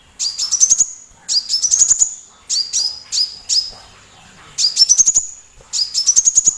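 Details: Loud song of a small sunbird, played to stir other birds like shamas into singing: high, piercing phrases of quick ticking notes climbing in pitch, six phrases close together with a short gap midway.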